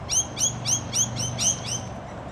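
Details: Rainbow lorikeet in suburban Perth, Western Australia, giving a rapid series of six shrill, screechy upslurred notes, about three per second, over a low steady background hum.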